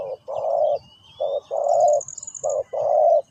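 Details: Spotted dove cooing in three phrases, each a short note followed by a long, rough-toned coo. A faint high whistle and a thin trill sound behind it.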